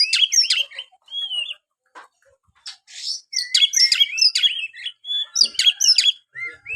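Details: Oriental magpie-robin song used to stir a quiet kept bird into singing: clear bursts of sharp chirps and slurred whistles, separated by brief silences, sounding crisp and uncluttered.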